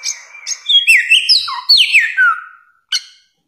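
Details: Bare-throated whistler (samyong), endemic to Nusa Tenggara, delivers a rapid tumbling series of loud whistled notes that climb and fall, ending in a long descending slur and one brief final note.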